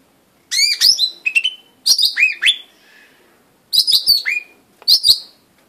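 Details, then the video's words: Blue-winged leafbird, locally daun sami, calling in rapid clusters of high sharp chirps mixed with rising and falling whistled notes, four bursts with brief pauses between them. "daun sayap biru/daun sami/blue winged leafbird"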